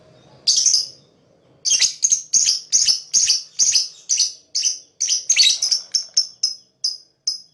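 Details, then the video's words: Lovebird, described as a fighter, chirping to attract other birds: one sharp high chirp, a short pause, then a quick run of about fourteen shrill, clipped chirps at roughly three per second, a few doubled, with a faint low hum at the start. "Lovebird Fighter Chirping sound"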